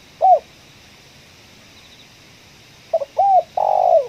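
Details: Spotted dove calling in a coffee field during bird luring, voice of the ngeruk, kuk 1 style: a lone arched coo, a pause, then a stuttered double note, an arched coo and a long burry note sliding down.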